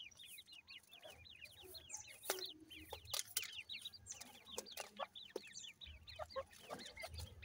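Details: Grey francolin chicks being fed call in quick runs of high, sharp peeps. The notes are arched and repeated several times a second. Loud clicks and taps break in, and low rumbling sits underneath.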